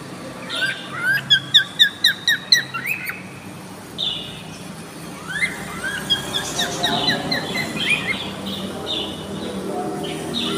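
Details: Cockatiels in a colony give repeated rising whistled chirps, a quick run of about ten notes early on, then looser chirping continuing over steady background noise.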